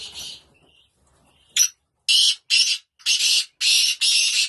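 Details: Black francolin recorded in England: five or six loud, grating, buzzy notes repeated about twice a second after a brief faint whistle.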